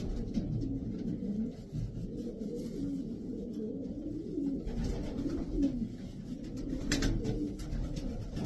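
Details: Several racing pigeons cooing together, deep rolling coos layered over one another, with scattered wing flaps and scratching sounds.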